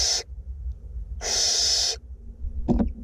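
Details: In a nest box in north Glasgow, two barn owlets being fed make a short hiss, then a longer harsh snoring screech, followed by a brief scratchy knock.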